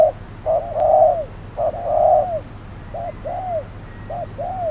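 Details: Spotted dove serving as a trapping decoy during hot midday; mellow low coos in short-then-long pairs, the first phrases loud and the later ones softer, over a low steady hum.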